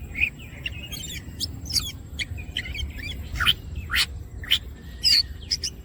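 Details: Greater green leafbird singing energetically with wings opened, giving a scattered series of sharp, high, clipped chips and short buzzy notes at irregular intervals, with a faint constant high hum.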